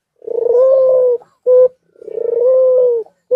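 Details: White dove in courtship, in heat and nodding, calling repeatedly: two long, low, rough purring coos, each followed by a short clipped note, all at a steady low pitch.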